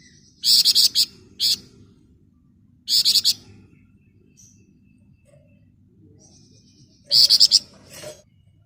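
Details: Flamboyan bird singing in the ngebren rapat nyerecet style: short, dense, buzzy high-pitched rattling bursts of four or five rapid notes, repeated three times with pauses of about two seconds, over a quiet background.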